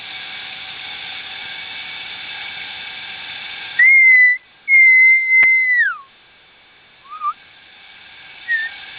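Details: Wild songbird at Kasem Island Resort, Kanchanaburi, Thailand, giving pure, level whistled notes that end in a downward slur, over a steady droning insect chorus; a few softer short whistles follow.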